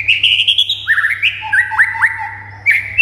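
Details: Short burst of white-rumped shama song meant to set quiet shamas singing excitedly: a bright sustained whistle breaking into quick up-and-down slurred notes and lower whistles, a faint low hum behind.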